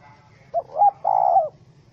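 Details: Angry wild spotted dove held in a small-rope bird trap, 04/07/2017, gives a short coo that runs straight into a longer, level, slightly arched coo, with little else audible.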